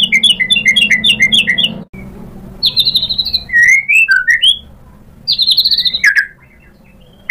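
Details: White-rumped shama song, used as a lure to provoke other shamas: bursts of quick, high chattering notes, a brief silence, then rising and falling slurred whistles, a further rapid burst, and quiet at the end.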